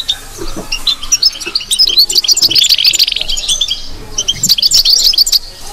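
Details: European goldfinch bitbita song: high tinkling twitters leading into a fast, evenly repeated series of sharp notes, a short buzzy burst in the middle, then another rapid repeated run near the end.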